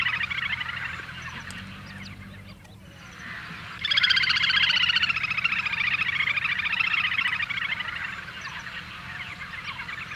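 Little grebe giving a fast, high, whinnying trill of rapid repeated notes that swells louder after a brief pause, over a faint low hum.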